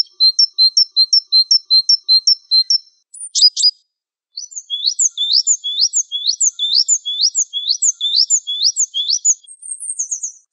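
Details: A Wingko Java sparrow delivers a long run of high clipped double notes, pauses after a few sharp clicks, then a faster series of ticking chirps ending in a thin high trill.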